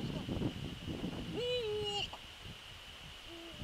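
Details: Eurasian eagle-owl at its nest on the evening of 27 December 2013, calling repeatedly. After some rustling, a rich, harmonic call about half a second long rises, flattens and falls. A brief, low, level tone follows later, with a constant high hiss behind.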